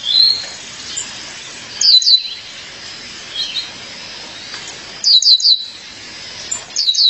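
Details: A female violaceous euphonia summoning her mate: three loud bursts of high, tumbling chirps, each three or four notes, spaced about three seconds apart, with faint softer notes between them.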